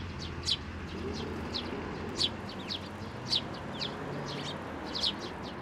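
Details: At a Tenmangu shrine on 18 May 2024, sparrows take food from a hand and feed their nestlings. Bright, high chirps come in short clusters roughly once a second over a low rumbling background.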